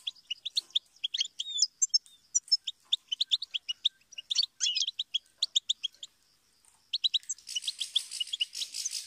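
A goldfinch sings a fast, tinkling twitter of high chirps and trills with a brief pause, ending over a soft background hiss.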